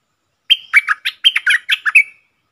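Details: Wild red-whiskered bulbul, a bold bird answering a caged decoy bird and then leaving, recorded 5-6-64: one quick burst of about eight bubbly, warbled notes, some sliding down, with a closing level whistle, against a silent background.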